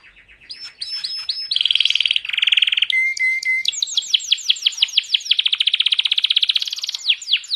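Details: Canary singing while held in the hand, a loud, varied song of rapid buzzy trills, a sharp whistled note and long runs of repeated chirps, all bright and high-pitched.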